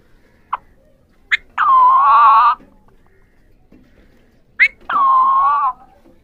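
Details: Three Indian ringneck parakeets, pahari parrots, calling: short sharp clicks and squeaks lead into two long, harsh, nasal drawn-out calls about three seconds apart, each lasting about a second, in a quiet setting.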